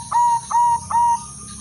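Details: Female zebra dove of silver colour, used to stir males of all types into breeding condition, sounds three evenly spaced, drawn-out coos, each opening with a short accent, over soft background noise.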